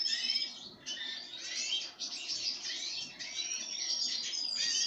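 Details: Pine grosbeak during a feeding with sunflower seeds, giving bursts of dense twittering in roughly one-second groups separated by brief gaps.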